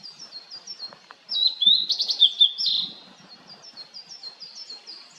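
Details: Blue-and-white flycatcher (Cyanoptila cyanomelana) delivering a rich, fast warbled phrase of bright slurred notes lasting over a second, while faint high chirps repeat steadily from other birds before and after.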